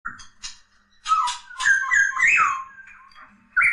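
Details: Poksay laughingthrush singing a varied run of loud whistled and slurred notes, rising and falling, with a bright upswept phrase near the end after a short pause.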